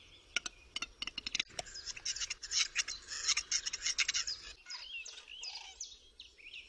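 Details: Lekking western capercaillie in forest during the mating season: a few sharp clicks quicken into a dense rattling volley, then a harsh scraping hiss, after which small birds twitter and warble.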